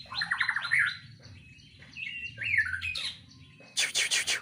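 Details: White-rumped shama kept in a breeding cage, giving a varied song of fast downslurred trill notes, rising and falling whistles, then a loud burst of harsh broadband rasping notes at the end.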